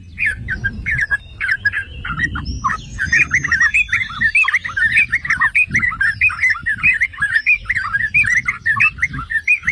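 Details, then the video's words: Yellow-vented bulbul song meant to trigger singing in other bulbuls: long stream of lively, bubbling chirps growing denser and continuous, with soft low-frequency background noise. "Trucukan jenis APAPUN dijamin NGAMUK || Pancingan dan Masteran Trucukan"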